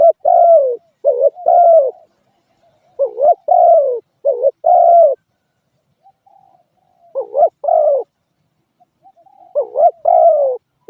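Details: Spotted dove giving low, mellow cooing phrases, each a quick double note followed by a longer drawn-out coo, repeated about six times with short pauses; no other sounds.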